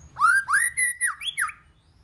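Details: White-rumped shama singing in many voices to stimulate other shamas: a string of six rising and falling whistled notes with buzzy edges, each about a quarter second, over a faint low hum.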